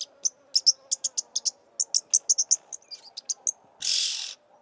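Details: Oxpecker in Somalia, known locally as jirri: a rapid series of short, sharp, high chirps, a few per second, ending in a brief hissing burst.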